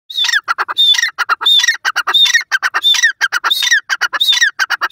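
A grey francolin calls loudly: harsh, squeaky clipped notes in rapid bursts, the phrase repeating roughly every second with a high whistled note threaded through.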